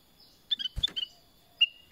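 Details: Black-crested bulbul (kutilang emas) giving quiet, short whistled notes, several clustered together around a dull knock, then one more clear whistle after a pause, over faint background hiss.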